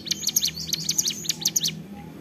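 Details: Ciblek gunung, a prinia, singing busily in the 'ceplekan' style: a dense run of thin, high, down-slurred chirps repeated quickly for nearly two seconds over a low background hum.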